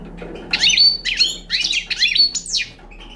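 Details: Young Balkan European goldfinch singing: short bursts of twittering, buzzy notes sweeping between high pitches, with a falling slurred note near the end and a low steady hum underneath.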